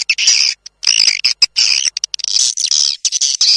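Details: Swiftlets in a "tombak raja" calling sound meant to attract them to swiftlet houses: harsh, buzzy high twitters in rapid bursts of under half a second, with short silences between.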